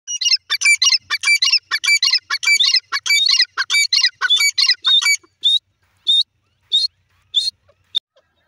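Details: Iranian dakhni teetar francolins, possibly young calling their mother, give high, thin chirps tumbling rapidly in overlapping bursts for about five seconds, then slowing to single clear whistled notes spaced a second apart.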